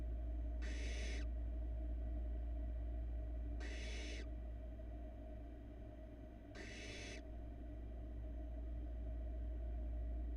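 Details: In a Florida barn owl nest box in 2022, the youngest of four nestlings gulps down a large rat. Three rasping, hissy bursts sound about three seconds apart against a constant low electrical hum.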